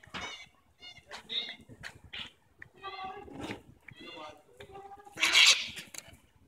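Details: White cockatoos in a park give a run of short, nasal, chattering squawks, some almost speech-like, then one loud, rasping screech near the end.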